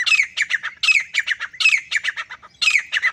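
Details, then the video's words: Male grey francolin by itself calling in quick, loud, grating phrases: repeated downslurred screechy notes falling into rhythmic groups of four or five. "Akely Nar Teetar ki Saaf or Full Sound | Awaz Only Male Partridge Sound | Grey Francolin Voice"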